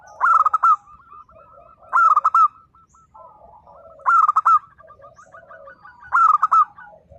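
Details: Local zebra dove in full voice, singing a style meant to prompt silent local birds to answer. Four loud, quavering coo phrases, each broken into rapid stuttering notes, repeated about every two seconds, with softer cooing from other doves between.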